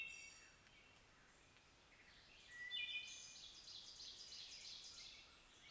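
Wood Thrush song, faint and distant: a short flute-like whistled phrase followed by a higher, shimmering trill, over steady outdoor background hiss.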